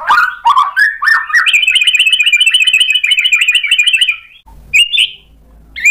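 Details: White-rumped shama singing after being provoked: a few slurred whistled notes, then a long fast rattling trill of repeated notes over about two and a half seconds, followed by brief high whistles and quiet gaps.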